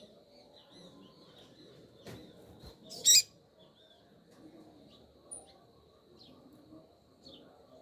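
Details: A female double-collared seedeater, described as lively and calling to excite a male, gives thin, high chips, scattered irregularly and softly throughout, with one sharp, loud click near the middle.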